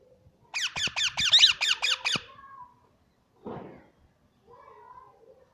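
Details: Plum-headed parakeet giving a fast burst of about seven shrill, harmonically rich squawked notes, each sliding downward, repeated roughly twice a second. A lower rasping note follows after a pause, then a faint soft tone, in a small indoor space.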